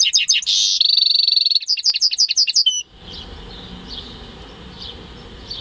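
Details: Home-bred goldfinch × canary hybrid singing in May 2015; rapid twittering phrases with a sustained buzzy trill, ending abruptly, followed by faint distant chirps over background hiss.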